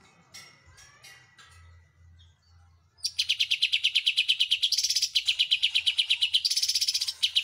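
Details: Greater green leafbird (cucak ijo) singing vigorously, with Oriental white-eye song in its repertoire. A few scattered high notes open, then after three seconds comes a loud, dense run of rapid, high, chattering notes, about three per second, continuing to the end.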